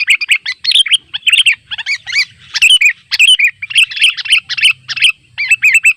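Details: A wild sooty-headed bulbul calling to rivals amid gathering birds at a simple trap. Lively, uneven clusters of clear, ringing chirps follow one another with brief breaks throughout.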